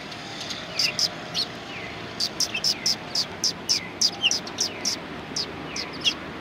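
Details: Several sparrows at a Tenmangu shrine on 1 March 2020 give short, sharp high chirps in loose series, some paired, with brief pauses between bursts over steady background hum.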